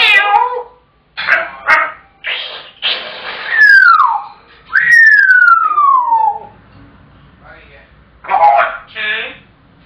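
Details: Male African grey parrot shouting, as he does when his owner gets home from work until fed his tea: loud speech-like squawks ("come on", "hello"), two long downward-sliding whistles, then more harsh voice-like bursts.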